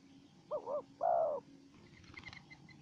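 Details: A wild spotted dove facing off vocally with a decoy bird. One phrase of two quick wavering coos and a longer steady coo, followed by faint, higher chirps from another bird.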